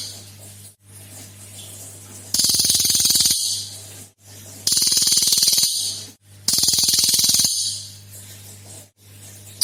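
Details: Cililin in full song, played as a lure to prompt other birds to sing: three loud, harsh, buzzy rattling bursts, each about a second long, separated by quieter gaps, with a steady low electrical hum underneath.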